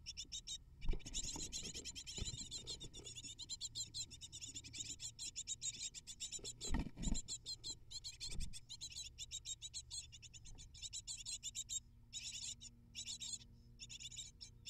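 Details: Great tit nestlings, eight of them, begging during a feeding visit; an almost unbroken stream of intense high chirps with several low knocks and rustles from movement in the nest.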